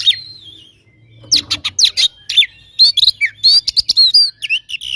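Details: Oriental magpie-robin in fighting song meant to make rivals angry: after a soft opening whistle, a fast volley of piercing chips and sweeping whistles follows, ending in looping, warbled high notes.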